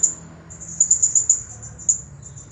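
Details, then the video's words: Champion Blue-crowned hanging parrot in the 'Nagih Hutang' style, here a near-continuous high, thin trill of rapid piercing pulses, rising and falling slightly in loudness. "Serindit Juara Nonstop Bunyi Gaya Nagih Hutang"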